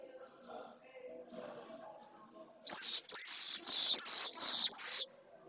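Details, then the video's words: A newly hatched pallid swift chick at a nest in Jerez de la Frontera, Spain, in late May 2022, receives one of its first feedings, giving shrill, buzzy screeches in four rapid bursts over about two seconds after faint background murmurs. "Una de las primeras cebas - Vencejo pálido"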